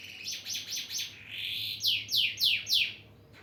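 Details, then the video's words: Male canary calling a female: four falling sweeps, then a brief rising buzzy note, then four louder, clearer downward-sweeping notes at a steady quick pace. "Suara Kenari Jantan Memanggil Betina"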